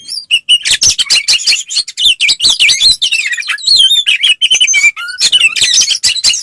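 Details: Oriental magpie-robin giving fighting song to provoke rival males: nonstop rapid warbling of wavering whistles and chirps, one long descending whistle near five seconds.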